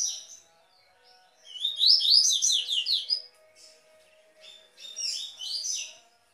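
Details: Tui tui style song of a double-collared seedeater, described as clear, strong and complete; a burst of rapid, buzzy, upward-sweeping notes, a pause, then a second softer trilled phrase.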